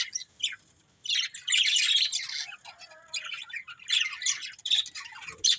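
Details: Chattering from a breeding pair of budgerigars: loud warbled bursts of high, raspy chirps, with a quieter pause near the start and tighter squeaks toward the end.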